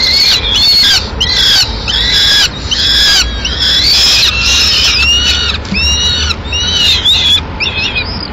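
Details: Peregrine falcon nest in Madrid at mid-morning, the female arriving with the remains of a pigeon. Harsh, harmonic, chattering calls repeat rapidly, about one per second, ending in a few upslurred notes.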